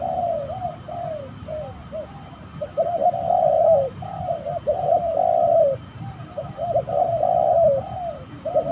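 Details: Fighting spotted dove, heard at a spooky trapping site, gives a continuous sequence of soft, low coos, short knocking notes running into longer slurred phrases over and over.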